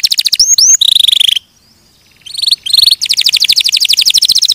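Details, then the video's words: Canary song with buzzy sustained notes and rapid trills, a short pause, then more fast repeated buzzing trills. "Suara Burung Kenari"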